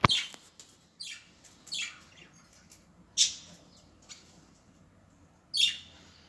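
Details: Budgerigars nesting in a home aviary: short, scratchy chirps sliding downward, spaced a second or more apart, in otherwise quiet surroundings.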